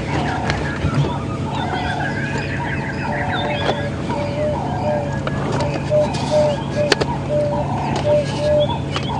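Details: An Emerald-spotted Wood Dove calls from a tree directly above hyenas on a morning safari drive at Djuma Game Reserve, South Africa, 20 November 2015: soft, low, hollow coos coming closer together, over a man talking and an idling vehicle.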